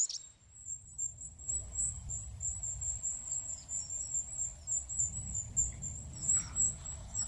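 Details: Free-living goldcrest giving a continuous stream of extremely high, thin seee notes over constant low background rumble and hiss.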